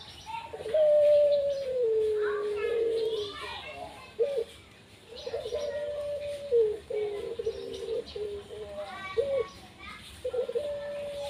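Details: Pet Barbary dove cooing, long low mellow coos that slide gently downward, repeated in phrases, with people talking indoors alongside.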